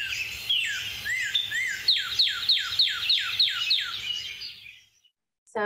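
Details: Northern cardinal (Cardinalis cardinalis) song: a few clear slurred whistles, then a fast run of about nine loud downslurred 'cheer' notes, roughly four per second, the 'what cheer' song, before falling silent.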